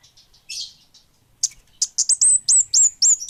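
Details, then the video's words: Kemade bunga api, the orange-headed thrush, singing vigorously: a few faint high squeaks and a brief rasp, then an accelerating series of loud, shrill whistled notes dropping in pitch. "Suara Burung Kemade Bunga Api Gacor!!!"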